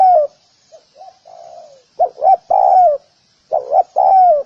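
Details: Spotted dove used to lure wild doves: the tail of a drawn coo, a few soft, quiet coos, then two full loud phrases, each a pair of short coos ending in a long, slightly falling note.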